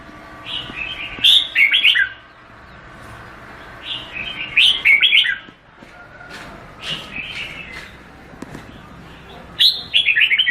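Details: Red-whiskered bulbul giving rapid bubbling whistled phrases roughly every three seconds, each a cascade of descending chirpy notes, with faint quieter calls between.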